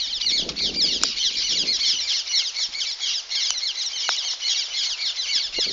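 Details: A flock of parrots flying in the sky keeps up a dense, unbroken wash of high, shrill screeches and chatter, with some low murmuring briefly near the start.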